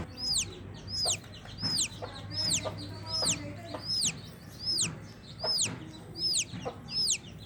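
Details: Chicken chick calling from inside its egg shell before hatching: loud, high, clear peeps, each sliding downward in a short arch, repeated steadily about every 0.7 seconds, around ten in all, over a faint low hum.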